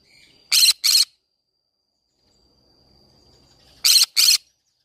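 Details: Green-cheeked conure in a flower garden making doubled harsh screeches, two rasping notes close together, then a quiet gap of about three seconds before another matching pair.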